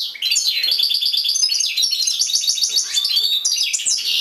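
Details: European goldfinch singing inside a cage, an unbroken stream of rapid tinkling twitters and chattering trills, high and bright, with slurred whistles near the end.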